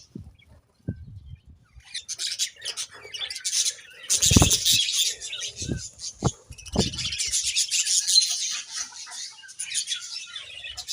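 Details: Budgerigars chirping in a steady high, buzzy chatter lasting several seconds, broken by a few sharp low knocks and thumps.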